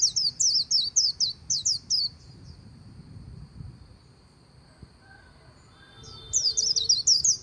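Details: White-eye on the bank of the Kỳ Cùng River giving 'líu' song: a burst of rapid, high, looping chirps, then about four seconds of near silence with faint background hiss, then the quick twittering chain resumes.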